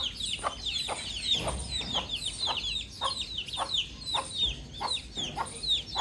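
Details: Young domestic chick chirping outside: dense, high-pitched falling peeps pour out almost continuously, layered over regular soft knocking taps roughly twice a second and faint low background rumble.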